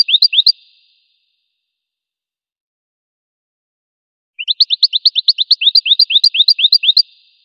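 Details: Goldfinch song: a few quick rising chirps, a long silence, then a sustained run of fast, upslurred twittering notes with occasional very high sparkling accents, steady and lively against complete quiet.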